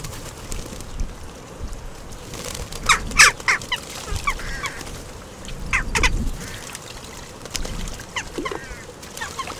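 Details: Group of western jackdaws bathing together at a garden bird bath, Recke, Germany, 5 May 2021, recorded by a live bird bath cam; clipped, abrupt calls in irregular clusters, some overlapping, mixed with splashing water and rustling.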